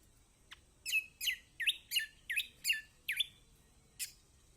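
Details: Kecial kombok, a Lombok white-eye, played to coax silent caged birds into singing: a string of eight bright, harmonic-rich chirping notes, each sliding downward, delivered about three per second, with single sharper clicks before and after.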